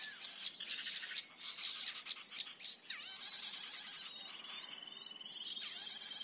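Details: A blue-headed flycatcher lure recording for trapping birds in forest: dense, high-pitched twittering, quick chirps, trills and down-slurred whistles pouring out almost without a break, with a faint insect-like buzz underneath.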